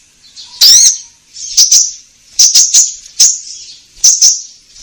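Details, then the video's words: Konin song used to coax caged birds: one loud, harsh upslurred note followed by softer, buzzy doubled notes recurring at irregular intervals of under a second. "Pancingan Konin Gacor Langsung Nyaut"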